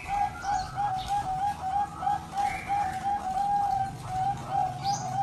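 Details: Zebra dove in a singing competition: a steady run of brief, even cooing notes, roughly three per second, over a noisy background with distant chatter and other faint sounds.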